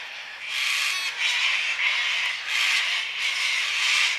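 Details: Cockatoos make noise on a Sunday afternoon, seemingly worst around 5pm in daylight saving time: harsh, raspy screeches in overlapping bursts of about a second each, nearly continuous, like several birds calling at once.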